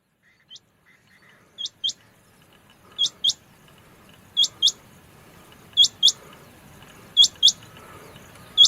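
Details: Rain Quail call, possibly a female's, given as sharp, high metallic double notes, a quick pair every second or so, growing louder through the run over a faint background hiss.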